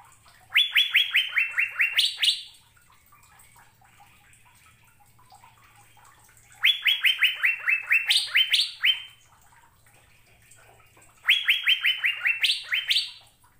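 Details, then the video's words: Three bursts of Asian fairy-bluebird song, spaced about five seconds apart, each a rapid cascade of around nine sharp rising whistles ending on a higher note, with a faint low hum between them. "Burung Sorga Cucak Biru Sedang Bernyanyi Gacor"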